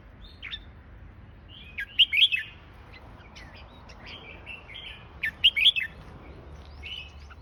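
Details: A fancy-class red-whiskered bulbul sings two lively warbled bursts about three seconds apart, each a quick cluster of sharp rising and falling whistled notes, with scattered quieter chirps between and a faint low hum beneath.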